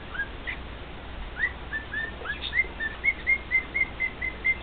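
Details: Pet male cockatiel serenading two companion cockatiels. Soft whistles build into a steady series of short, clear, slightly rising whistled notes, about two per second toward the end, with faint room noise.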